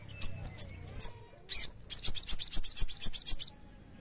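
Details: Sogon singing, three spaced high chirps then a steady rapid train of bright, slurred descending notes at roughly four per second.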